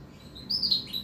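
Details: Female canary, kept separated from its paired male, calling to him, and silent when they are put together; a single thin, high, drawn-out whistled note that wavers slightly.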